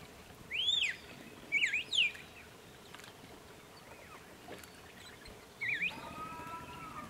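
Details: An Arabian golden-winged grosbeak (Rhynchostruthus percivali), coming to drink at Ayn Tabraq near Salalah, south Oman, on 13 June 2015, gives clear, arched whistled notes, one then a quick pair, then a short burst and a steadier flat whistle, over soft hiss.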